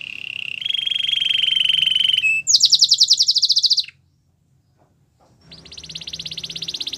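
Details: Singing canary used as a training model: a sustained buzzy rolling trill, then a brighter, harsher rattling tour, a second of silence, and a renewed buzzing trill building in strength.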